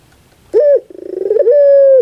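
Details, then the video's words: Puter pelung dove coo used as a lure to prompt a lazy dove to sing: a loud, low, steady note, then a fast pulsing roll that quickens and merges into a long, level, drawn-out final coo. "Pancingan Suara Untuk Puter Pelung Yang Malas Berbunyi"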